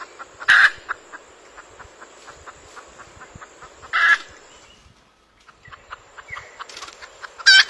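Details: Red junglefowl giving three loud, harsh, broadband bursts spaced about three and a half seconds apart, with a steady run of faint, evenly spaced ticking notes in between.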